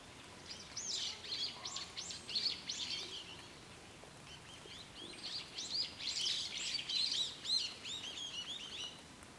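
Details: Birdsong on Mount Takao: high, rapid chirps and twittering notes in two clusters, several birds possibly overlapping, set against a soft, steady outdoor hush.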